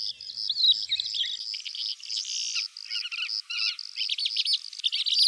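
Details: Calandra lark song: a dense, jumbled stream of twittering, scratchy and whistled high notes delivered almost without pause, with a faint pulsing insect chorus behind.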